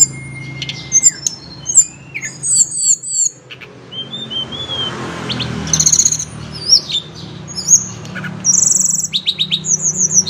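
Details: Very high, thin chips and brief twittering bursts from a tledekan gunung (blood-breasted flowerpecker), which reliably calls back morning and afternoon; phrases come in clusters with short gaps over faint low hum.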